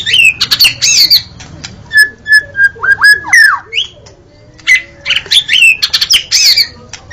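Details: White-rumped shama, murai batu, in loud gacor song used as masteran to get other birds singing: clear whistled notes, slurred rising and falling phrases and sharp buzzy chips, in short bursts separated by brief pauses, with faint low background hum.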